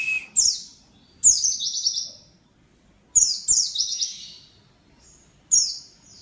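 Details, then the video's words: An Oriental white-eye sings high, thin twittering phrases, each a quick jumble of descending chirps lasting about a second, repeated with short pauses. "PLECI NYA BISA GACOR"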